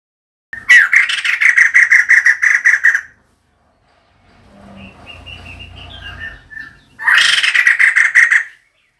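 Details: Female White-crested Laughingthrush calling, a recording used as a decoy call: two loud bursts of fast, harsh, rhythmic chattering, each a rapid pulsed cackle of about two seconds, separated by a quieter pause with faint background noises.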